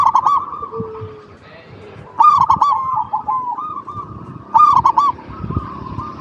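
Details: Singing local zebra doves, a lure recording for other doves: three bursts of rapid clipped coos, each trailing into a purring trill, roughly every two seconds, with low background rumble.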